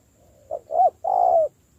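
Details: A single cooing phrase from a spotted dove in decoy training: a soft short note, a swelling hollow coo, then a long steady low coo that slightly falls at the end.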